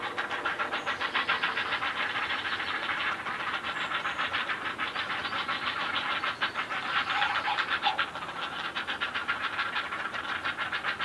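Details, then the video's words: Great blue herons at feeding time give a harsh, rapid, clattering chatter of dry ticks, about three or four a second, running steadily with a brief surge near the end. "Great Blue Heron Feeding Time"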